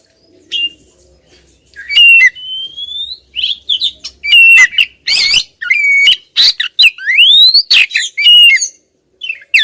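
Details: Oriental magpie-robin female persistently calling at a male: drawn-out rising whistles mixed with buzzy squawks and sharp chirps in irregular bursts.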